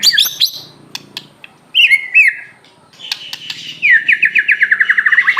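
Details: White-rumped shama from Aceh singing steadily: high chattering notes, a pair of swooping whistles, then a long, fast, even trill of repeated slurred notes.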